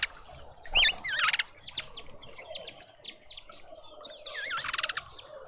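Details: Mousebirds at a feeder in a suburban Pretoria garden, South Africa: a wavy whistle leads into a buzzy pulsed chatter, then soft chirps, and a second whistle-and-rattle sequence near the end.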